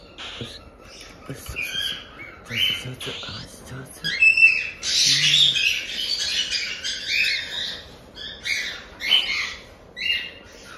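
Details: Month-old cockatiel chicks in Tokachi, Hokkaido, make the scratchy 'jaa-jaa' cry heard only while they are chicks. Uneven, raspy squawks rise into a dense chattering run midway, with a person talking softly indoors.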